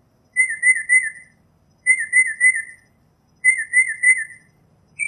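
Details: Northern mockingbird repeating a short warbled whistle phrase three times with even pauses, each phrase a quick series of wavering notes.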